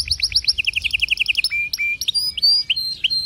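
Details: Canary phrase of quick repeated chirps in two pitches, followed by separate whistled slurs and thin high held notes, with a lively, varied delivery.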